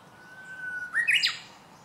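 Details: A Japanese bush warbler gives its first song of the season on 19 March 2016: one long, steady whistled note, then a quick rising, twisting flourish; otherwise quiet background.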